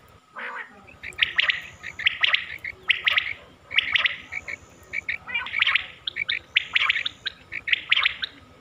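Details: Quail (batair) hunting call from Mianwali: dense runs of clipped, buzzy notes in quick clusters, repeated almost without a break, possibly several birds, over a faint steady hum.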